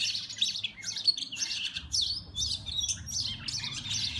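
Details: Two fighting Oriental magpie-robins, Copsychus saularis, caught on a mobile phone, giving fast chattering bursts of thin high chirps and squeaks in uneven clusters, with a soft low rumble underneath.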